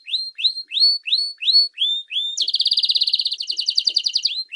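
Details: Canary song used to train young and adult canaries: slow series of rising whistled notes, then a fast buzzy trill held for about two seconds, with a final rising note.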